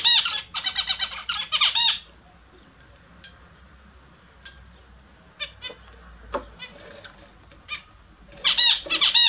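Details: Several pet Australian zebra finches bathing in the morning give bursts of nasal, stacked honking calls in rapid runs over the first two seconds. A quiet stretch with scattered clicks and splashes follows, then another honking burst near the end.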